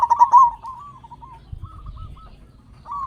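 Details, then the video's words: Local zebra dove used as a lure to stir quiet captive zebra doves: the end of a rapid staccato cooing phrase, then soft, separate wavering coos and a quiet pause before the next phrase begins. "Perkutut Lokal Gacor Suara Besar Pancingan Burung Perkutut Agar Cepat Bunyi"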